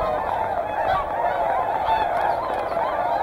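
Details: Whooper and Tundra swans crowded at Hyoko, Niigata, trade rapid overlapping honks, forming a continuous trumpeting chorus through these few seconds.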